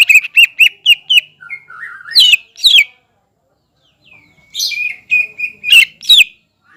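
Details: A lively greater green leafbird sings to stir up a rival of its kind, starting with a fast series of clipped whistles, then a lower warbled run, then loud sweeping chirps and trills after a brief silence.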